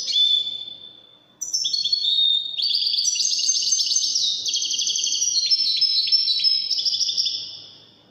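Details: Wedani-style song from a European goldfinch in Morocco: an opening pure whistled note, then after a brief break a long, lively cascade of high, buzzy twitters and trills.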